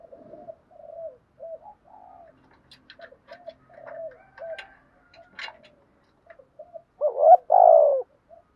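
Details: Spotted dove decoy used to train cooing birds: soft, low coos repeated at intervals, with faint clicks and knocks, then a loud double coo near the end.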